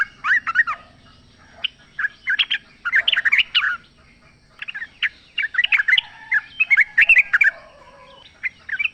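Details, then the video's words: Wild sooty-headed bulbul song meant to set off caged birds: irregular groups of fluty, slurred chirps and quick twittering notes, busy and overlapping at times, separated by brief pauses. "trucuk gacor ngalas full suara alam ampuh buat pancingan agar bunyi jadikan trucukmu gacor nyaut"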